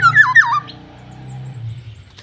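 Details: Black-naped oriole gives a short, fluty whistled phrase of two dipping notes, followed by quiet and a low background hum.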